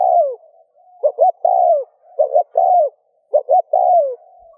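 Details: Spotted dove cooing, played to stimulate other doves to coo: repeated phrases of two short clipped notes followed by a longer mellow falling coo, about every 1.2 seconds, low and soft, with a faint background hum.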